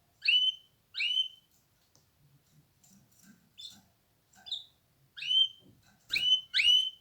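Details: Canary uttering clear, downward-sweeping whistled call notes, spaced irregularly, some single and some paired, with faint scratching and tapping sounds in the background.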